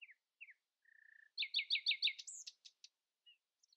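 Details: Common nightingale singing in the early morning, not letting rivals' voices rise above its own: a few short down-slurred notes, a flat buzzy trill, then a burst of loud rapidly repeated notes, a high rising whistle and scattered soft notes.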